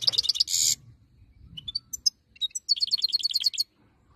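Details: Wild-type European goldfinch song: rapid, buzzy high twitters, then a few separate thin whistles and a fast tinkling trill near the end, with faint low background hum.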